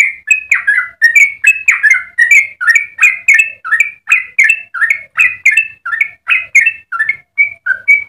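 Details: Long melodious Yellow-vented bulbul song for masters and lure use: steady stream of liquid, gurgling whistles at mid-high pitch, notes tumbling up and down in quick succession, closing with a few clearer single whistles.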